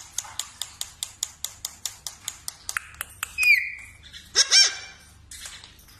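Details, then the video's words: Mimicking parrot: a run of evenly spaced sharp clicks about three per second, followed by harsh squawks and a shrill whistle. "parrot voice song"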